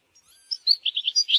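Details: European goldfinch singing in a natural setting: a soft opening followed by a quick run of clear, liquid chirps, about six notes in just over half a second, ending in a buzzier flourish.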